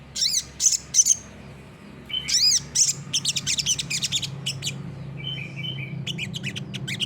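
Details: Olive-backed sunbird (sogok ontong, sriganti) singing gacor nembak, kept as a master track for training birds: loud, very high, ringing notes and rapid chirp bursts, then quick twittering runs and buzzy trills, with a faint low hum behind.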